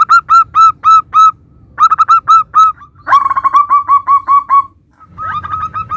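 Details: Actively singing local zebra dove, recorded to prompt other doves to respond; slow evenly spaced hooked coos open the phrase, followed by faster rattling series and a trailing softer run.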